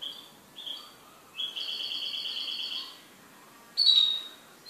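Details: A kept goldfinch gives high chirps, then a long, even, buzzy held note lasting about one and a half seconds, ending with a sharp, bright twitter.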